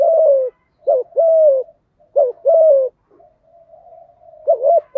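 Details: Spotted dove lure bird in the thổ thúc gù voice, calling to provoke wild doves; the tail of a coo, then two quick double-note-and-long-falling-coo phrases, soft murmuring, and a final doubled note.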